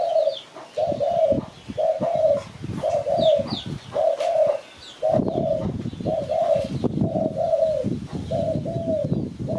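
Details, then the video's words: Spotted dove calling in Malaysia, a call used to lure birds for trapping. Low, soft coos repeat roughly once a second in twos and threes, over rumbling noise and faint high bird chirps. "Sound Spotted Dove Malay"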